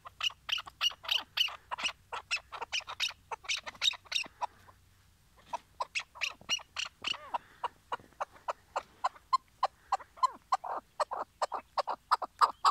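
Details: Chukar partridge used as a tethered hunting decoy in Şırnak, Turkey, calling before the hunt: loud, rapid clucking chuk notes in a long series, a brief pause near the middle, then an even faster, rising run.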